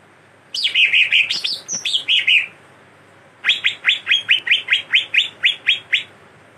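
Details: Greater green leafbird singing a chattering song filled with imitated cililin and kastem songs: a fast scratchy run of high notes, a short pause, then about eleven sharp descending notes repeated evenly, roughly three each second.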